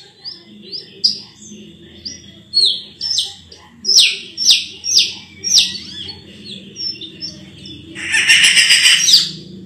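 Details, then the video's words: Sulawesi myna (raja perling) singing soft, high whistled notes that build into loud, descending slurred calls about two per second, ending in a harsh, buzzy chatter. "BURUNG RAJA PERLING ‼️suaranya merdu sekali"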